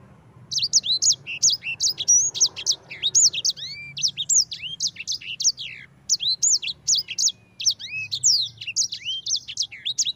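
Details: Sanger (yellow-fronted canary) singing in the long rolling ngerol style, used as a lure to spur other birds to sing; rapid high-pitched chain of sweet whistled and slurred notes, pouring on almost without pause through the whole stretch.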